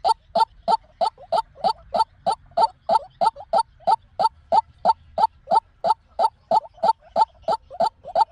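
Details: White-breasted waterhen call used as a lure for trapping: a long series of identical short, hard, croaking notes repeated evenly about three times a second, with a faint low hum behind.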